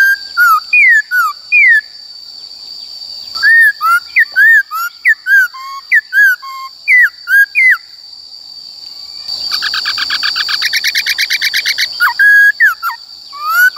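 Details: ['Forest-style song of a Black-throated laughingthrush, used to coach young and wild-caught birds: varied loud whistled phrases of rising and falling notes with pauses, a fast rattling trill in the middle, then more swooping whistles, over a constant thin tone.']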